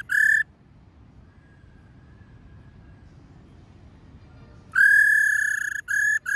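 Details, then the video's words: Female laughingthrush call in the 'ro' style, used to make male birds sing: a brief buzzy note, a long quiet gap with faint soft tones, then a long harsh level note and two shorter ones. "Khướu mái rò | khướu mái ro ro kích khướu bổi cực nhạy. tiếng khuou mai ro"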